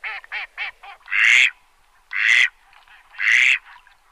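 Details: Farm duck calling: four short nasal quacks in quick succession, then three loud, harsh, drawn-out quacks about a second apart, with softer quacks between them.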